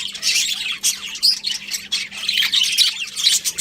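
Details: Pet budgerigars chatter with harsh squawks and buzzy chirps in uneven bursts, several birds calling over one another.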